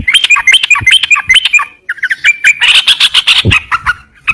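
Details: Yellow-vented bulbul singing: quick repeated chirpy notes, then a brief pause and a denser burst of harsh chattering, ending in scattered bubbly notes.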